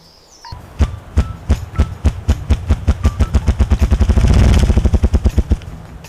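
Ruffed grouse drumming: deep, muffled thumps that begin slowly, about two a second, then speed into a fast whirring roll before fading, over roughly five seconds.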